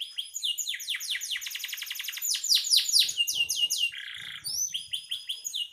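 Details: Gacor canary, a strong singer used as master song for training songbirds; fast cascade of downward-swept whistles, a brief buzzy rattling passage near four seconds, then quick rising and falling chirps, with faint low knocking in the background.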